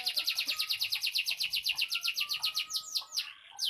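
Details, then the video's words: Canary singing loud and fired up: a fast, even trill of bright, high, downward-sweeping notes, about eight per second, ending in a few slower, separate notes. "suara burung kenari ngamuk ngotot kenceng"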